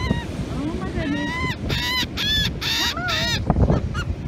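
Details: Seagulls on a North Carolina beach, being fed raisins, give a rush of loud, harsh, wavering cries that overlap in quick bursts. A low rumble of surf and wind runs underneath.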